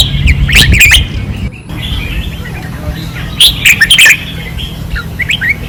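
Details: On a practice perch in Pattani, 2024, caged red-whiskered bulbuls sing intensely. Sharp, chirpy whistled notes cluster in two bursts, with a brief low thump and faint background murmur between them.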